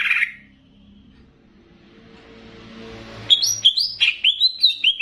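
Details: Greater green leafbird of the Banyuwangi type, singing to excite other cucak ijo with bebeci-style phrasing; a soft hiss precedes a quick series of rising whistled notes repeated about three times per second.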